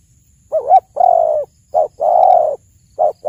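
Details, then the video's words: Spotted dove song, a recording offered as a lure for hunting and trapping: a short wavering coo followed by a long, steady, mid-pitched coo, the pattern repeated in pairs against a quiet background. "suara burung tekukur terbagus"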